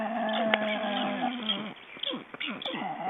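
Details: Black storks in Estonia during ringing on 29 June 2012: drawn-out, steady, nasal tones held about a second, then broken, descending bleating notes, with people talking close by.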